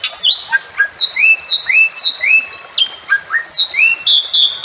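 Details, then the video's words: Bali myna calling: a rapid run of clear, high whistled notes, some sliding down and others rising, about four per second, with a few harsher squawks. "Bali Myna Calling Sound"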